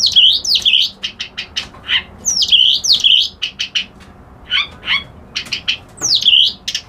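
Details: Reed warbler called kerak basi alis putih repeating loud V-shaped swooping whistles in pairs between runs of rapid scratchy notes and a few lower croaky chirps.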